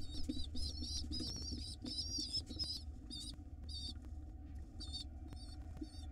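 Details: Hungry wild pigeon nestlings being fed by their mother in a nest box, starting with dense overlapping high squeals, then thinning to spaced single squeaky notes, over a steady low drone.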